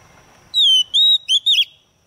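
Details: Caged female white-rumped shama used as a lure to excite males into singing, giving a brief bright whistled phrase: a long falling whistle, a steady one, then two quick twisting notes, over faint background noise.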